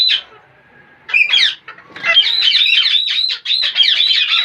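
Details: Parrot producing funny noises: a short squawk, a pause, a pair of harsh calls, then a long rapid stream of buzzy, warbling chatter.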